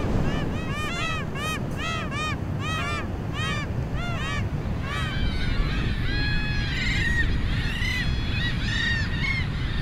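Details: Peruvian gulls giving repeated arched, nasal, yelping calls in quick rhythmic series, several birds overlapping, over a constant loud roar of surf or wind.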